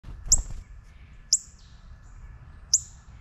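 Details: Juvenile northern cardinal (Cardinalis cardinalis) gives three sharp, high metallic chips spaced about a second or more apart, over a faint low rumble.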